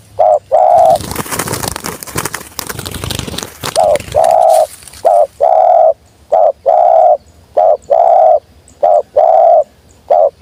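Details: Wild spotted dove coming down, calling in the sweet 'jergot' style: after several seconds of loud rustling noise, a steady series of paired low coos, a short note then a longer one, repeated about every second.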